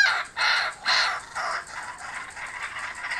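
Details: Kookaburras returned to a home in Australia; a few loud harsh chuckles at the start, fading into softer, quicker chattering notes.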